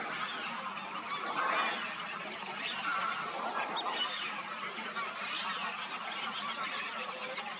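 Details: Huge migrating flock of black-tailed godwits on the Indian subcontinent gives a continuous din of overlapping nasal, chattering calls, with no pause across the whole stretch.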